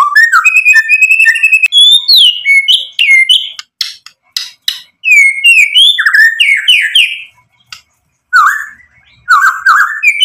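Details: White-rumped shama singing to provoke rival birds to answer, pouring out loud, varied whistled phrases with slurred rising and falling notes, brief rapid chips between them, and short gaps before further bursts.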